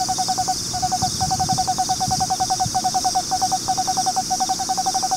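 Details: Eastern screech owl calling from its nest box in Austin, Texas, where a pair has nested for four years: a steady, mid-pitched trill of rapid pulses, broken by a few short pauses, with a constant high hiss in the background.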